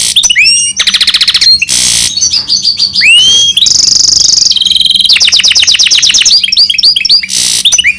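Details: Song of a goldfinch crossed with a canary, mixing rapid trills, upswept whistles, buzzy rattling bursts and held high tones, delivered loud and continuous without pause.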